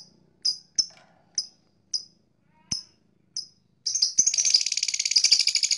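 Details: Blue black-masked lovebird giving single sharp high chirps about every half second, then breaking into a fast, dense, buzzy chatter of chirps.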